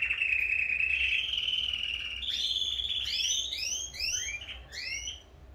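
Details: Canaries singing at full strength as breeding pairs are about to be split: a steady rolling trill stepping up in pitch, then a run of quick rising sweeps repeated several times per second, overlapping.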